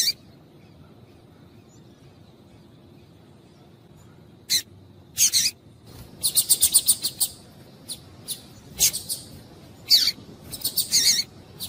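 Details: Double-collared seedeater female call used to make males sing: after quiet, a rapid run of thin high chips and clustered ticks, some in quick trills, irregularly spaced over several seconds.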